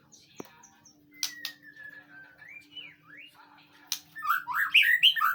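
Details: Training recording of a White-rumped shama to prompt a reply: faint taps and a sharp click, then a long, thin, drawn-out whistle with a few soft slides, ending in a loud burst of fast, jumbled whistled notes.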